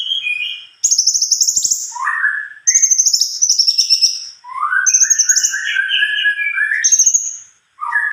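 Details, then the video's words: Cucak kombo singing actively in a long rolling song: bright, varied chattering phrases, with high whistled trills alternating with lower warbled slurs and rising notes, in dense continuous bursts separated by short pauses. "burung cunkok gacor.rol pjang"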